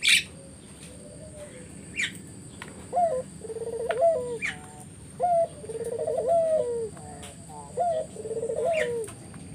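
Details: Spotted dove song meant to lure other doves: trilled coos opening with short rising notes, three phrases, amid sharp high chirps of another bird and a steady hiss.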